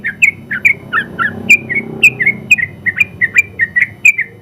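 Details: Champion sooty-headed bulbul from a general-class contest in its extended 'ropel' song meant as training material: brisk string of ringing, slurred whistles with slight variation in pitch, delivered steadily throughout.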